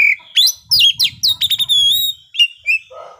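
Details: Midday 'ngeplay' song of a kacer, the oriental magpie-robin, played to prompt other birds to sing: dense, high chattering phrases of quick upward-swept whistles, buzzy notes and a drawn-out clear tone, with faint low rumble beneath.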